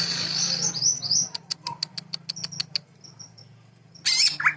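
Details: Sewing-machine filler from a greater green leafbird: a high thin warble, then a fast run of regular dry clicks like a stitching machine, soft whistles, and a loud harsh burst near the end.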